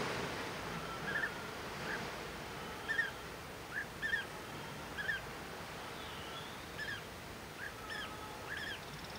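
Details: European bee-eater at Praia do Vau, Algarve, Portugal, giving short, liquid, mid-pitched 'prruip' notes, singly or in quick pairs, about once a second over a steady hiss of wind or surf.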